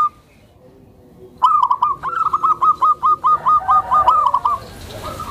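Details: Tame zebra dove with a mild voice, used to provoke other zebra doves and train newcomers; after a silent second, one long phrase of roughly a dozen quick, clipped cooing notes, slightly rising at the start, ending in a softer tail.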